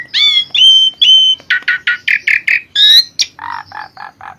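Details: Lively Asian pied starling song meant for training other birds: clear rising whistles, then quick raspy chirps repeated about twice a second, a bright upward slur, and finally four lower, nasal, buzzy notes.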